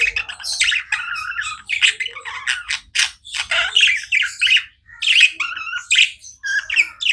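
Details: Pet budgies keep up loud, busy chatter of grating squawks, clicks and warbled chirps, nearly unbroken, with tiny dips in loudness between phrases.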